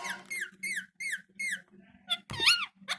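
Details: Talking parrot kept as a pet: a string of five similar downward-curving squeaky syllables at an even pace, then a louder arched call, with a constant low hum underneath.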